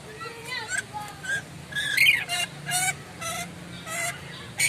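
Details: Moluccan lory giving loud, sharp calls: a string of harsh, raspy screeches about every half second, some with thin whistled tones, over a steady low hum.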